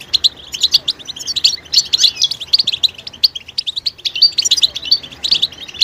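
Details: European goldfinch betbeta calls, used to coax silent males into singing. Busy, bright chatter of rapid high chirps with rhythmic pulses, continuing almost without pause.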